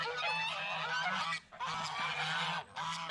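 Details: Goose on a farm honking loudly in long, harsh, blaring bursts that run almost without pause, two brief gaps breaking the noisy stream.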